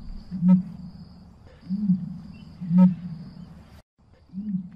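Deep, resonant emu grunts, four low booming pulses roughly a second apart over a quiet rumbling background.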